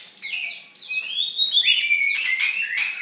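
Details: High, sweet whistled phrases from an Oriental magpie-robin, a fierce songster, gliding and wavering between notes and ending in rough, scratchy notes about twice a second.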